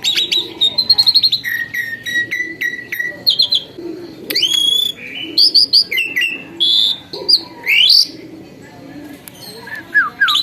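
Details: Formerly wild-tempered myna turned tame and vocal, singing a varied string of clear whistles, rapid trills, sharp rising sweeps and short clicking notes, separated by brief pauses.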